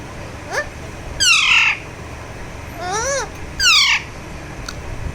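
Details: Alexandrine parakeet, a talking pet parrot, calling while enjoying a massage: four harsh squawks, each a rising-then-falling note, with two loud rasping ones in the middle.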